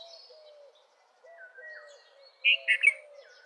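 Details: Red-vented bulbul song: a burst of three loud, rich notes around the middle of the range near the end, after quieter slurred whistles; a low, soft repeated note from another bird runs underneath.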